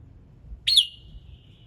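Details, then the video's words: A single sharp, bright note from a red-whiskered bulbul singing in the morning to trigger other birds' song, trailing into a thin, level whistle over a quiet low hum. "Chào Mào Hót Sáng Nhiều Âm Hay | KÍCH CHIM HÓT THEO LIỀN"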